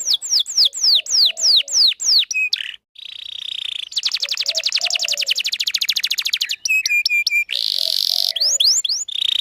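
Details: Canary singing, used to lure males and as training for young birds: repeated downward-slurred whistles, a buzzy note, a dense fast trill, short steady tones and a harsh rasping burst.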